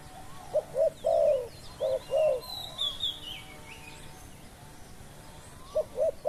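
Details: Low cooing from a spotted dove kept as a lure for wild doves: a pair of short notes, a drawn-out falling coo, then another quick pair. A sweeping high whistle and small chirps from other birds fill the gaps.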